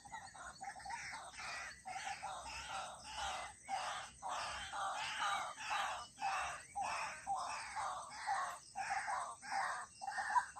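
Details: White-breasted waterhen giving a long series of loud, harsh, rasping croaks, roughly two per second, each a broad grating burst separated by short silences.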